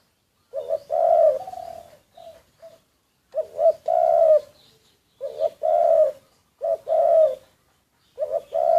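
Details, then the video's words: Decoy spotted dove, secretly recorded. Low hollow cooing phrases repeat about every two to three seconds, each built from short clipped notes and a longer drawn-out coo, with quiet gaps between phrases. "แอบอัดเสียงนกเขาใหญ่ นกต่อ"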